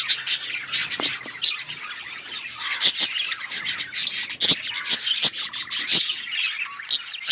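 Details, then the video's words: Colourful budgerigars in a group, a dense chorus of scratchy chirps and squawks overlapping continuously, with sharp clicking sounds and brief louder squawks scattered throughout. "Budgies parrot beautiful colour budgies chirping sounds"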